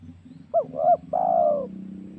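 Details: Spotted dove lure phrase for enticing wild doves when hunting: two short arched coos followed by a sustained coo that slowly drops in pitch, low hum underneath.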